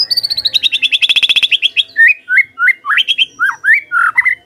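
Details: Song of a white-rumped shama, used as a lure so other birds start singing: a rapid trill of around twenty-five notes sliding slightly lower, then about seven loud, clear, rising-and-falling whistles.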